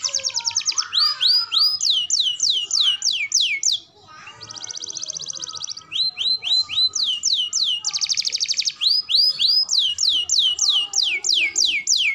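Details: Lively canary song used to train young canaries, alternating fast buzzy trills with long runs of downward-curving whistled notes, about three per second, continuing steadily throughout.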